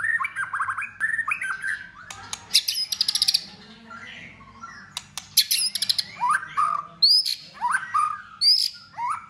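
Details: White-rumped shama singing intensely in competition, many voices, tail flicking, cold season: warbled phrases, buzzy high trills and sharp clicks, followed by loud rising-falling whistled bursts in quick succession.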